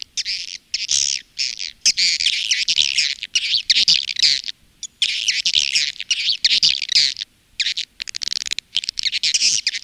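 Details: Swiftlet calling and roosting lure sound used by swiftlet farmers in Indonesia: dense, harsh, high-pitched twittering chirps in rapid bursts, separated by short silent gaps.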